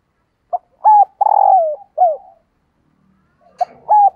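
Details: Calling female spotted dove aiming to excite males: one full phrase of short note, hooked coo, long buzzy descending note and falling coo, then faint clicks and the start of another phrase.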